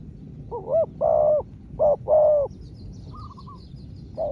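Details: Spotted dove calling back at a rival wild dove, each answering in turn: paired rounded coos, some long and steady. A fainter, higher, quavering dove phrase follows. Thin high twitters from other birds.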